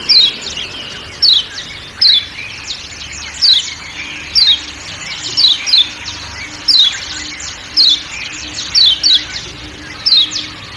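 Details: A Lombok kecial kuning white-eye gives a steady run of 'ciak ciak' chirps with forest sounds behind: high, clipped, downward-sliding notes roughly every second, sometimes doubled, over a low hum.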